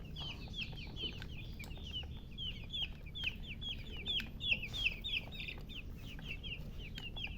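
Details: Chicken chicks peeping: about three high, falling chirps each second in an uneven steady stream, some louder than others, over faint low background noise.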